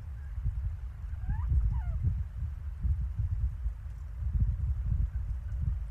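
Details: Little owls recorded at Lichtenvoorde on 15 January 2024: a pair of quick wavering mewing calls, one rising and one falling, partly masked by gusty low-pitched wind noise.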